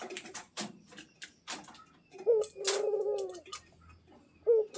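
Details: Pet zebra dove, prompted to call without stopping, giving a short rising note then a longer warbled low coo, with sharp clicking and tapping noises before and after indoors.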